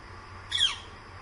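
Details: Northern flicker calling quite close around 10 am gives a single sharp, harsh, downslurred note of about a quarter second over a steady background hiss.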